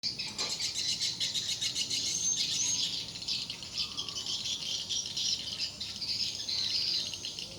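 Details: Swiftlets at a four-storey, 5 x 10 swiftlet house in use for four months, responding with dense high-pitched twittering and rattling chirps that run unbroken through the whole clip.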